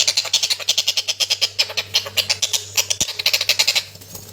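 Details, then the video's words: Collared kingfisher call from a masteran recording used to train cage birds: a fast series of harsh, high, clipped notes, roughly three per second, that slackens and fades near the end over a steady low hum. "TENGKEK BUTO LOLOHAN"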